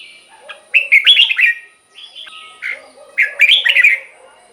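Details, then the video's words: Red-whiskered bulbul song for stirring caged birds: two bursts of rapid bubbling, slurred whistles with softer warbled notes between them and a faint background hum. "เสียงนกกรงหัวจุก สำหรับต่อ หรือ เปิดให้นกคึก เสียงเพราะๆ"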